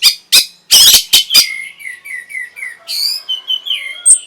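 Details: Orange-headed thrush song played to stir breeding condition and draw a response: a few loud harsh rasping notes, then a string of soft slurred whistles and high twittering phrases.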